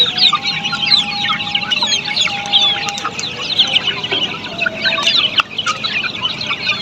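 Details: Australorp chicks on a poultry farm, many peeping at once in a dense, continuous chatter of high, short chirps with no pauses. A few lower tones run through the background.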